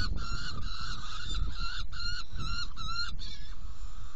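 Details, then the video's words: Saker falcon at a nest box during feeding, 17 June 2018 at 10:31: a run of about eight harsh, nasal, evenly spaced repeated notes over a constant low rumbling hum. "Kerecsen fészekdoboz 2018.06.17. 10:31 etetés"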